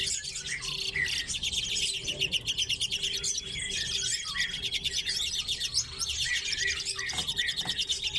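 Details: Common redpolls in an aviary shared with chaffinches keep up a dense twitter of high, dry chips and buzzy trills over a faint hum.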